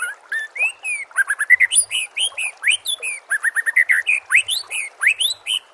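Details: White-rumped shama singing for a captive-bird training recording: dense, varied stream of upswept and down-slurred whistles, quick chirps and sharp high accents, nearly continuous throughout.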